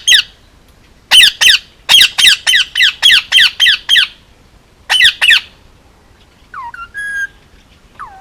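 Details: Hand-raised male Indian ringneck parakeet, almost two, kept on Oahu, Hawaii, letting out a rapid run of loud harsh squawks, about ten in four seconds, then softer falling whistled notes and a thin buzzy tone.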